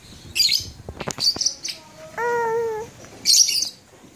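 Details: A labet bird in Blokagung, Banyuwangi, Indonesia, in January 2018 gives high, scratchy chirp bursts in short phrases about a second apart, broken by sharp clicks and a lower steady whistled tone.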